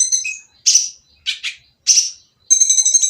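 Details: Noisy oriental magpie-robin song, played to get silent birds singing: separate harsh, scratchy bursts spaced about half a second apart, ending in a rapid high buzzy trill.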